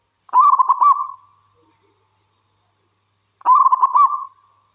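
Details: Zebra dove of the local wild type, a keen singer whose song draws other doves to answer. Two matching phrases of rapid, throaty, stuttering coos come about three seconds apart, with silence between them.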